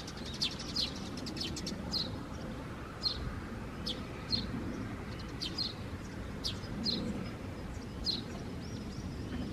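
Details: Young Eurasian tree sparrow just out of the nest, recorded 4 May 2024 during a birdwatching stroll; repeated sharp, high chirps, sometimes doubled, irregularly spaced, with faint traffic-like rumble beneath.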